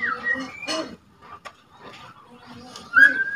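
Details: A young speckled white-rumped shama, two months old and still learning to sing, gives clear sustained whistles at the start and end, the last one rising, with soft scratchy twitters in between; the song is meant to rile other shamas.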